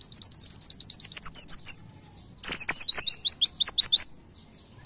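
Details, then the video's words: White-eye master song for training cage birds, played each morning during airing: a rapid steady series of high chips for almost two seconds, a pause, then a tumbling run of zigzag high notes. "MASTERAN PLECI NEMBAK MUDAH DI DIINGAT"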